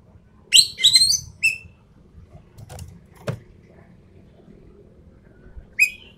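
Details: Sumatran treepie, an endemic bird, in a tutor and lure recording for birdkeepers: a quick cluster of harsh, harmonic-rich chattering notes, then a lone short rasping note and a final buzzy note after a quiet gap with faint background clicks.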